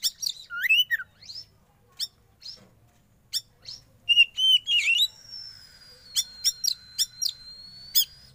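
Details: Caged young wild-caught Oriental magpie-robin kept under sauna therapy, singing a varied medley: sharp chirps, looping slurred whistles, then a long, steady high whistle broken by rapid clicking ticks.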